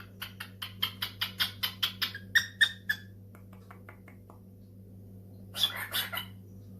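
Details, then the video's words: Indoor pet cockatiel answering a phone call gives a quick series of short, evenly spaced chirps, roughly four per second, that fade out, then a brief louder squawk after a pause; faint room hum throughout. "the cockatiel fam: Answering a phone call"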